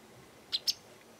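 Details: Japanese wagtail calling in a garden, perhaps demanding something, threatening others or claiming territory; two sharp high chips about a tenth of a second apart, with quiet background.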